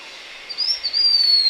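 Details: Blue-winged minla giving a thin, high, drawn-out whistle that starts after a short pause, wavers slightly, then holds steady and slowly falls in pitch. The background is quiet and clean.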